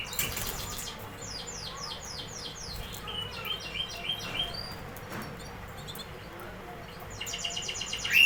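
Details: Canary singing softly: short series of repeated high notes and scattered chirps over steady background noise, ending in a louder high trill.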